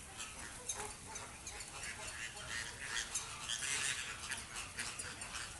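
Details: Captive Inca terns (Larosterna inca) at feeding time in a Dutch bird park give harsh, squealing calls that overlap into a dense, restless chatter, with faint human voices in the background.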